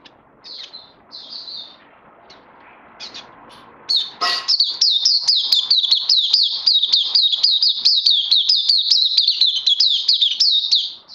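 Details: Caged oriental white-eye recorded 31 May 2020: after a few faint scattered chirps and a brief clatter, the bird bursts into a sustained high-pitched twittering song, notes repeated more than twice per second.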